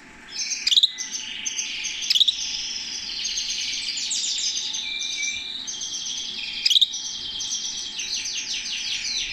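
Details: A canary, held in the owner's hand, sings a long, high, continuous warble of rapid rolling trills and buzzy tours, broken by three sharp clicking taps.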